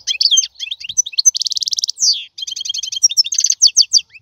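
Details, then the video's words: European goldfinch pouring out rapid twittering song, with a steady buzzy rattle, a descending slurred note, and more quick liquid chirps. "لا يمكنك ان تسمع اقوى من غناء هذا الحسون"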